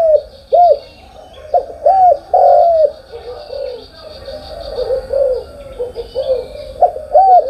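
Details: In the morning, spotted dove coos come as separate arched notes that rise and drop, with softer overlapping cooing between them and a steady faint high hiss behind.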